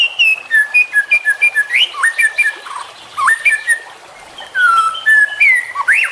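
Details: White-rumped shama song, juvenile, played for tutoring young songbirds: clear whistled phrases with downslurred and upslurred notes, short pauses, and high thin chips above.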